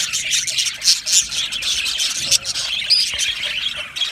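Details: Australian budgies in an aviary colony, singing and chirping together: a dense, continuous wash of high chattering, squawky notes and brief tweets overlapping without pause.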